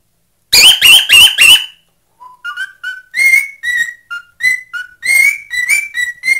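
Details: A pet male cockatiel whistles a song of short, bright notes that step up and down in quick succession.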